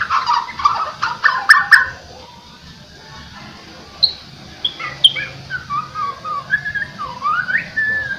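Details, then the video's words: White-rumped shama being trained to sing vigorously and with emotion: a dense burst of sharp notes opens the clip, then after a pause come varied whistled phrases, some rising and some slurred, over a low background hum. "MURAI BATU. LATIHAN SUARA AGAR KELIATAN GACOR EMOSI TERLATIH"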